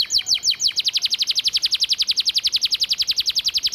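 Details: Canary master-vocal song with sparrow, cigun and flamboyan fill-ins in a rapid 'tembakan' burst style: a few slower dropping notes lead into a long, machine-gun-fast trill of bright, evenly pulsed high notes.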